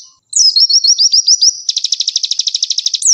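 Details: Olive-backed sunbird (konin) in constant song, made as a tutoring recording for other birds: a run of rising high slurred notes gives way to a rapid even trill, then a sharp swoop.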